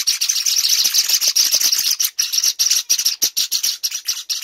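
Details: Six-week-old Java sparrow chicks being hand-fed, giving a dense, harsh, high-pitched begging chatter of rapid, irregular chirps that run together almost without pause.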